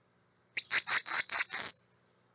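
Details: Black-throated Blue Warbler, a Mid-Atlantic warbler of brushy mid-storey and understory, calling: a short run of five or six high, buzzy notes, evenly paced, the last slightly higher and drawn out. No other sounds.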